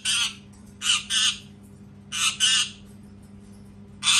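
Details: Loud, repeated parrot screaming: harsh raspy squawks, often in doubled pairs, five bursts within about four seconds, with quiet hum between them.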